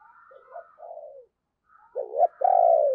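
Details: Spotted dove decoy with a rich thunder voice (giọng sấm bầu) calling to attract wild birds; soft low notes and a faint whistle give way to a loud, hoarse two-part coo at the end.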